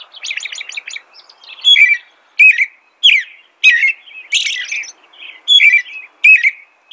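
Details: Song of an American robin, opening with a rapid run of repeated high notes, then clear caroled phrases roughly every half second, each a liquid downward-slurred whistle topped by thin squeaks.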